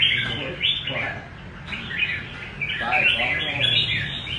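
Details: Red-whiskered bulbul in rê cầu song, pouring out rapid bubbly whistled notes in two main bursts separated by a short lull, with low background murmur.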